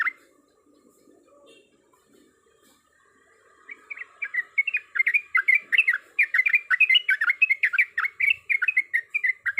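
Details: Breeding female yellow-vented bulbul calling a male; after nearly four quiet seconds with faint low twittering, a rapid, rising run of bubbly warbled notes starts and continues to the end.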